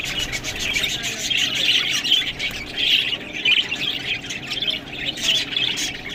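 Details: Several budgerigars squawking and warbling over green food, with short rasping calls and bright squeaky notes rising and falling in loudness.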